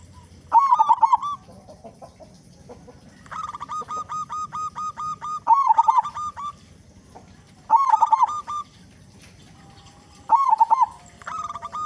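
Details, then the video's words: A loud-voiced local zebra dove singing as a lure to get other doves to sing. Stuttering, bubbling cooed phrases come roughly every two and a half seconds, each a quick tumbling series of soft staccato notes. "Perkutut Lokal Gacor Suara Besar Pancingan Burung Perkutut Agar Cepat Bunyi"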